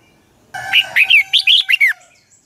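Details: Red-whiskered bulbul singing a dueling song for use as a lure bird: a single rapid phrase of about seven loud, slurred whistles rising and falling, over a faint steady tone.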